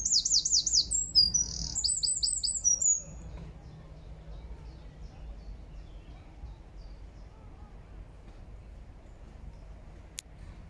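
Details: Wild Eurasian wren in Regent's Park, London, June 2024, delivering about three seconds of high, rapid, rattling trills in two quick runs. Then follows a long stretch of quiet low ambient hum with one sharp click near the end.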